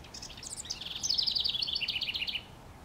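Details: Song of a house wren perched on a treetop, NW Regina, Saskatchewan, Canada, 25 May 2015: quick high chattering notes build into a fast trill that tumbles gradually lower and stops abruptly.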